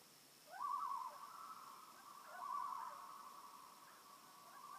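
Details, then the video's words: Loons calling on a peaceful lake in Maine: a long, mournful held note broken by two quavering, yodel-like tremolo bursts, over a faint steady high hum. "Song of the Loons"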